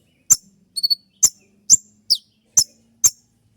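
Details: Sharp 'shot' song of a spotted kolibri ninja sunbird, a dawn master for training songbirds; shrill falling chips repeated about every half second, with one short burst of three quick high pulses early on.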